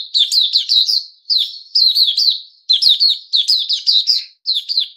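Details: Puteh Raja bulbul in captivity giving loud, lively song: clusters of rapid slurred chirps, about three to five notes per burst, repeated with brief pauses throughout, with no other sounds.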